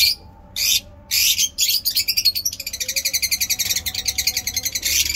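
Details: Lovebirds chirping in fine weather in Peshawar, Pakistan: bursts of harsh, high-pitched chirps, then rapid repeated twittering notes running steadily with little pause.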